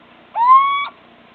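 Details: On 26 March 2014 a little owl, largely unseen, gives one clear, pure whistled note that swoops up at the start, holds steady for about half a second and ends sharply; the background is quiet.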